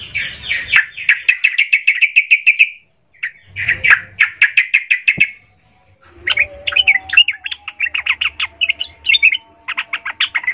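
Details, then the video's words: Sooty-headed bulbul in agitated song, used to provoke other bulbuls and raise their spirit: fast runs of bright chirping notes repeated in bursts, then a jumble of varied, quick warbled notes with a faint low rumble beneath. "suara trucukan gacor Emosi - AMPUH memancing/Menaikkan Mental trucukan Lain"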